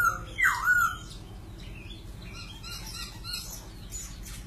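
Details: A white-crested laughingthrush delivers one loud, bending whistled phrase, followed by softer scattered chirps and rustling over a low background hum.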